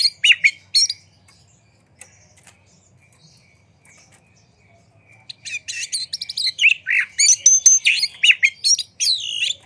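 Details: White-rumped shama song used as a lure for other birds: a few opening notes, several seconds of near silence with faint calls, then a lively stretch of varied whistles and chatter.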